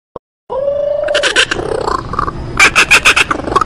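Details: Kookaburra call described as frightening: a short click, then a steady rising hoot that breaks into harsh, rapid chuckling bursts, ending in loud repeated cackling notes.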